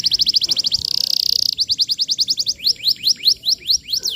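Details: Energetic canary singing, recorded as lure material for young canaries: a quick rattling trill, a short buzzy note, then a run of downward-sweeping whistles that slow toward the end.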